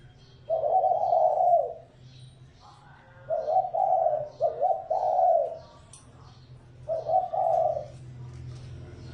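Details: Spotted dove lure call: a long soft coo, then a phrase of three connected coos, then a shorter two-part coo, with steady low humming underneath.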